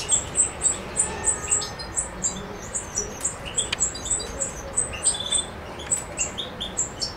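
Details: European goldfinch singing in Macedonia on 7 July 2011: a fast run of high, bright twittering notes, repeated several times a second in lively bursts, with faint lower chatter in the background.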